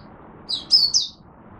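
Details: Oriental white-eye in Singapore on a humid, warm, rainy, overcast day, opening its song: a short burst of high, thin whistled notes sliding down, over faint low background hum.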